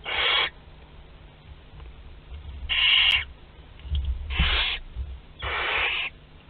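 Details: Barn owl chicks aged two to twelve days at a group meal in a nest box at Théding, France, 29 April 2021: harsh, hissing rasps of about half a second, repeated irregularly, with low background rumble.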